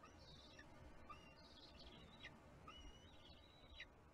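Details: Bald eagle eaglet at a nest in Kisatchie National Forest, 6 April 2022, throwing a temper tantrum after an adult ate the fish instead of feeding it. Faint, thin whistled squeals and short high chips repeat over a low, steady background rumble.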